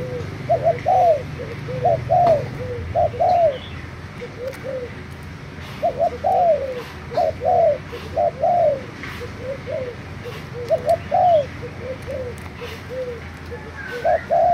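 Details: A spotted dove, a Thai decoy bird, gives soft, hollow cooing phrases of two or three low notes, repeated steadily every second or two against a quiet rural background; recorded 3 March 2018.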